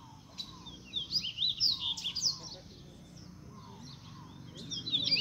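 A rusty-collared seedeater sings a rapid, high twittering phrase of slurred notes for about two seconds, then starts again near the end over a low background hum.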